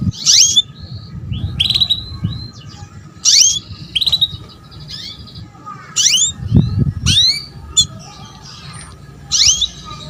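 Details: Female canary enticing a young male to start singing: a lively run of clear chirps, each a quick falling sweep, coming every half second to second, with a low thump in the background.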